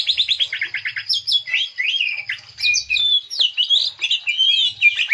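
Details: Green leafbird (cucak ijo) song used as a lure to draw out a full song: rich varied phrases of rapid chattering notes, bright whistled slurs rising and falling, and mimicked trills, delivered in a dense continuous stream.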